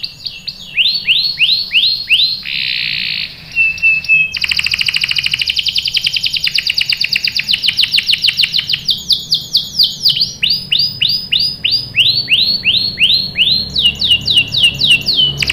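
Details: Singing canary used as a lure to get young birds to sing along, 'cuit cuit' style: arched high notes in series, a flat whistle, then a long rapid trill of sharp ticking notes and more swept phrases.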